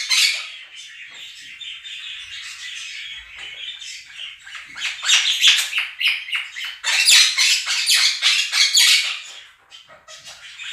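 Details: Two pet Quaker parrots screaming loudly over a played recording of chirping, singing budgies; harsh, broadband squawks repeat rapidly, several per second, rising to a louder burst in the second half.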